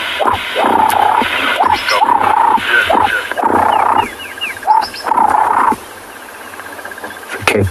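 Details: A male ring-necked dove at a dam just after sunrise on 8 January 2022 stretches its neck out while cooing to attract a female: a rapid run of hoarse, mid-pitched phrases, each swelling then cut short, with faint chirps from other birds partway through.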